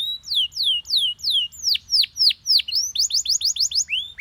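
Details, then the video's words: Yellow Belgian canary singing in a lively phrase sequence: about five clear downslurred whistles, then several steep plunging sweeps, then a fast series of short rising notes. The notes are bright and high and repeat without pause over a quiet background. "The Most Powerfull Yellow Belgian Canary Singing"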